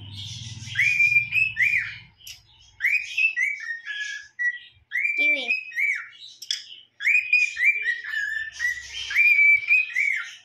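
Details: A pet cockatiel trying to learn a song practises a tune in bright, clear whistles, repeating short rising and falling phrases.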